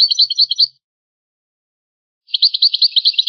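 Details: Old rare recording of the original goldfinch song style: a European goldfinch gives a brief twittering phrase, falls silent for over a second, then resumes with a fast string of bright, high chirped notes.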